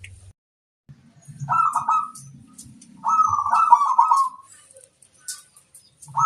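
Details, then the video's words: Lure song of a local zebra dove used to attract wild birds: two vibrating, rolling coo phrases, the second longer at over a second, over a low rumbling background hum. "Suara sang masteran burung perkutut - asli pikat mengundang bunyi"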